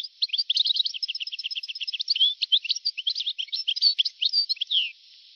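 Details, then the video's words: Old recording of a European goldfinch dating from 1982 to 1990, singing a continuous fast twittering song of jangling, tinkling notes and buzzy slurs for about five seconds, with a slightly thin, tinny tone. "تغريد حسون قديم جدا (1982-1990) صوت رائع"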